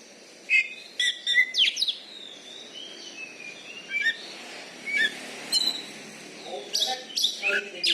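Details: Caged Oriental magpie-robin, a contest champion from Bengkulu, Indonesia: scattered sharp chirps and thin sliding whistles in short bursts over steady background hiss.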